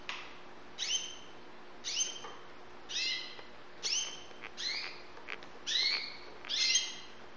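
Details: Young white Syrian canaries in Saudi Arabia giving a run of seven or eight clear, high harmonic chirps, roughly one per second, each beginning with a quick upward sweep, plus a few faint clicks between notes and low background hum.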